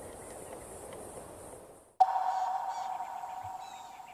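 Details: A go-away-bird, possibly a white-bellied go-away-bird, at a waterhole in Kenya on 15 June 2025 gives a drawn-out, nasal, mid-pitched wail lasting about two seconds, after a stretch of faint outdoor background noise.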